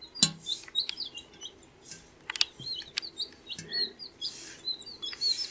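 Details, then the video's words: A group of baby chicks, 14 days old, keeps up a busy peeping. Short, high, whistled chirps with quick pitch flicks run almost continuously, with sharp taps and soft scuffling noises mixed in. "Baby Chicks Chirping Sound"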